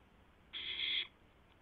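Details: Owl delivering a mouse to its mate at the nest around 12:04 AM on 12 April 2016, giving a single harsh, breathy screech of about half a second against a faint background hum.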